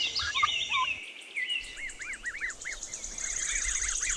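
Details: Turkey (Meleagris gallopavo), gobble.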